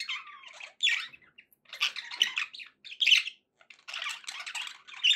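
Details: Pet budgerigar song: scratchy warbles and sharp squawks in several clusters, one short falling whistle at the start, gaps of silence between bursts.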